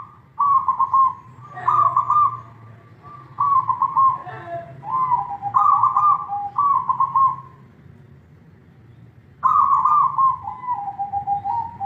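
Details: Manggung song of a perkutut, or zebra dove: a series of bubbly, trilled coos, each phrase dropping a little at the end, given in quick succession with one longer pause before a final descending phrase; steady low hum behind.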